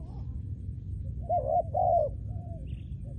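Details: Trained spotted dove decoy bird used for ground trapping. Two mellow coos run close together and are followed by a fainter trailing note, with a low rumble throughout.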